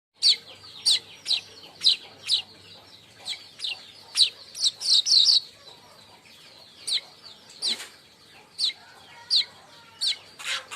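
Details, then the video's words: Baya weaver giving crecetan, a chattering call used to lure birds and tutor others: sharp high chirps in irregular bursts, some doubled or tripled, with short pauses between groups. "Crecetan burung Manyar"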